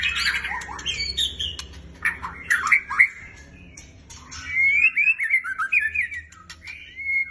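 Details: Black shama kept as a fighter bird singing loudly: harsh squawking notes and chips open the passage, then clearer whistled slurs and rising-falling phrases follow in quick succession over a faint low hum.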